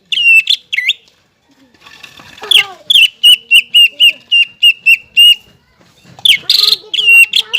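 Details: Greater green leafbird kept as a cage bird, singing vigorously as a training example for other leafbirds: two whistles, a quiet scratchy gap, then a steady string of crisp repeated whistled notes and a harsh burst.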